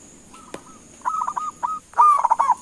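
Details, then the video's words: Zebra dove (local perkutut) calling to draw a reply; a thin held note, then clipped coo fragments, ending in a loud trilling, gurgled phrase; a single sharp click early on. "Suara Panggilan Perkutut LOKAL Gacor sekali dengar langsung NYAUTIN"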